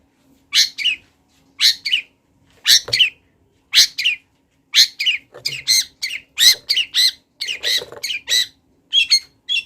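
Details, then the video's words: Wild long-tailed shrike in energetic song, delivering short harsh, scratchy high notes roughly once a second at first, then packing them into faster chattering runs toward the end; faint low hum beneath. "CENDET GACOR LATAH - MASTERAN BURUNG LIAR"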